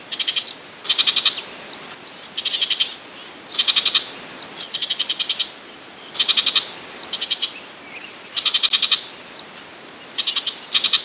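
Burmese shrike giving short bursts of harsh, rapid ticking notes, high-pitched and repeated every second or two over a quiet background hiss.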